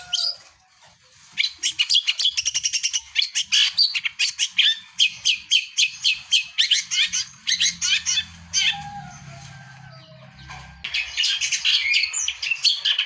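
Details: Long-tailed shrike in full vigorous song, meant to stir silent birds into singing; rapid scratchy chattering in dense bursts, a quieter gap in the middle with a low hum, then renewed fast chatter.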